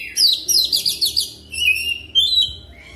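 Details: Oriental magpie-robin (kacer) lure song for training, fast rolling: a quick series of sharp high chirps in a stuttering trill, followed by sweet sustained whistles and a final rising note.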